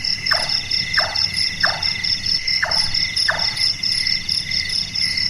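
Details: Five wooden knocking notes from a large-tailed nightjar, a bird active at night and said to sound like a person doing carpentry, evenly spaced at first, then a pause, over continuous cricket trills.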